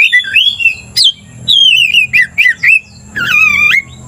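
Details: Provoking Oriental magpie-robin delivering melodious slurred whistles, a series of short rising and falling notes, then a long wavering buzzy phrase, rich in overtones.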